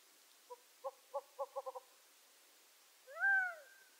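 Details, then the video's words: Gambel's quail making a quickening run of six short, soft clucks that speed up toward the end, followed after a pause by one loud, nasal, arched mewing call. "Game Bird Sounds Video: Bird Songs Western North America-Gambel's Quail"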